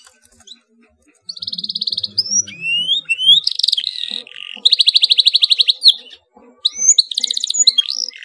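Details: Canary singing with emotion, a close-packed roll meant to prompt other canaries to answer: a fast pulsed trill, rising swept whistles, a dense buzzy stretch, a very rapid rattle, then short sharp notes and another quick trill.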